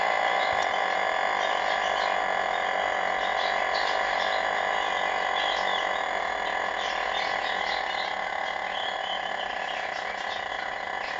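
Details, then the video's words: Kosovo long crowing rooster from Vushtrri, Kosovo, in a long crowing contest, holds one steady, unbroken, tonal note rich in harmonics for the whole stretch. Faint voices sound in the background. "Kosova Long Crowing Rooster"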